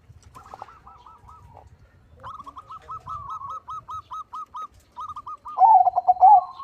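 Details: Crossbred zebra dove singing with a big voice: after several seconds of softer, evenly repeated coos from other doves, a loud stuttering coo phrase bursts out near the end.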